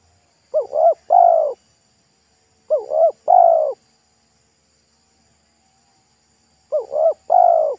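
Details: Local wild spotted dove with a 'pesom'-style voice, thick and loud, singing beside a road during luring: three deep cooing phrases, each a quick double coo followed by a longer drawn-out coo, about every three seconds.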